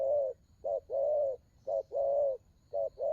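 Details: Spotted dove giving the cooing style called đồng gù: low, mellow two-part phrases, a brief note then a longer drawn coo, about three pairs back to back. A faint steady high hum sits in the background.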